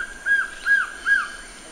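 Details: Close Collared trogon (Surucuá-de-coleira): three strong, rounded, slightly down-curving notes delivered about 0.4 seconds apart, clean against a quiet background.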